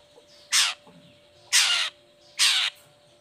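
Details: Long-tailed shrike, in a recording meant to coax lazy or moulting shrikes into song, giving three loud harsh rasping squawks about one second apart, with a low steady hum behind.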